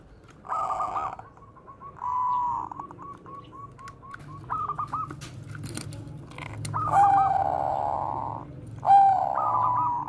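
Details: Bangkok zebra dove's bekur koar-koar singing, meant as a lure for training other doves: mellow coos trailing into long chains of rapid clipped notes, several phrases with pauses and a low background rumble.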